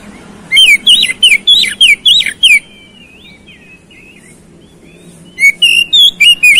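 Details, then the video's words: A rapid run of bright whistles and sharp chirps from an oriental magpie-robin, used as a lure so rival birds respond quickly and fight. Softer warbling follows, then another fast burst. "PANCINGAN KACER CEPAT RESPON NGOTOT TARUNG"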